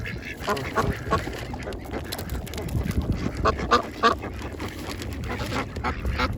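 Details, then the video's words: A mixed group of ducks feeding at a pond, many short harsh quacks overlapping in quick irregular succession, about three per second, over a low background rumble. "Ducks Feeding and quacking sounds"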